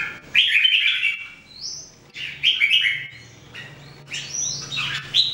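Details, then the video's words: One of three red-whiskered bulbuls kept in training and singing daily gives three bright, liquid phrases of chattering whistles with rising slurred notes, separated by short pauses, over a faint low hum. "Jambul birds singing"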